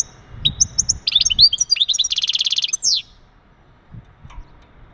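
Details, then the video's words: Male European goldfinch giving mating calls meant to stimulate a female and prepare her for breeding: high twittering notes, then a fast buzzy trill for about a second and a half, ending in quick descending notes, followed by near silence. "بتبتات ونداءات التزاوج عند ذكر الحسون فعالة في تجهيز أنثى الحسون"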